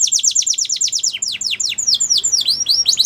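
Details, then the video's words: Song of a Belgian canary used for training young canaries, a fast trill of repeated falling notes that slows into louder, wider sweeping whistles, varied from phrase to phrase. "Canary Singing For Training | Belgian Canary Singing"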